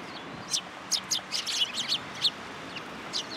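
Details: Several sparrows coming to a post to be fed at a Tenmangu shrine on 20 February 2023; bright, short chirps and tweets in quick irregular bursts, about ten notes in three seconds, over light background hiss.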